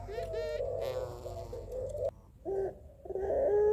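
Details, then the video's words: Barbary dove, known locally as puter pelung, calling males with a rhythmic, melodious voice; a few low, harmonic coos break off and resume, with some background hum. "Puter Pelung Suara Lelah Berirama Syahdu Memanggil Jantan"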